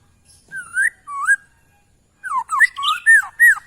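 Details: Sooty-headed bulbul singing energetically, set against a white-rumped shama. Loud, clear, slurred whistles rising and falling: two short phrases, a pause, then a quick bubbly run of swooping notes. The background is otherwise quiet.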